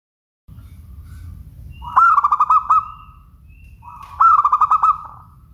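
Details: Local zebra dove, known as perkutut, giving its clear song: soft drawn-out cooing notes that break into a quick series of bright pulsed coos, given twice, over low background rumble.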